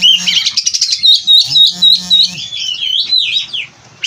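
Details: Kacer, the oriental magpie-robin, in captivity: rapid twittering whistles and curling high notes in a steady rush, accompanied by two short low droning tones, ending in a quieter gap.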